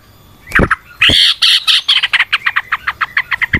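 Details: Yellow-vented bulbul in lively, long rapid-fire song in a natural setting, used as a lure to stimulate other bulbuls: harsh squawky opening notes, then a dense bubbling burst and a fast run of short chirps at about two per second.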